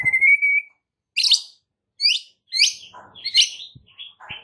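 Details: White-rumped shama masteran song meant to make other shamas respond: a long steady whistle, then bursts of rich, twisting high notes separated by short pauses.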